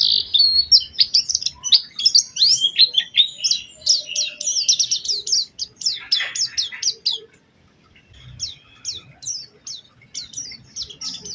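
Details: Lure song of the Oriental white-eye, sung to prompt others of its kind to sing: a lively rush of high twittering chips, a brief lull, then spaced sharp notes about two or three per second.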